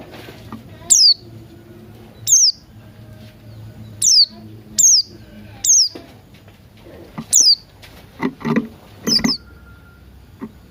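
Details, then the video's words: Buxton's white-eye morning singing, mixed with cucak rante sounds, used as a lure to get birds singing: loud, sharp, high notes sliding downward, repeated irregularly about every one to two seconds, with softer chatter near the end. "Pleci Buxtoni Ngalas Pagi Hari"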